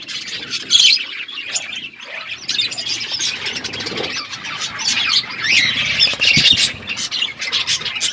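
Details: Parrots chirping as they eat, recorded February 25, 2024; a constant tangle of high twitters and scratchy squawks from several birds, growing busier and louder toward the middle.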